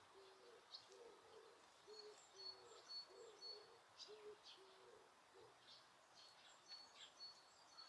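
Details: Wild birds at Osaka Castle Park, Japan, recorded with noise reduction on a quiet day without people: low cooing notes repeated about twice a second, under thin high chirps and short whistles.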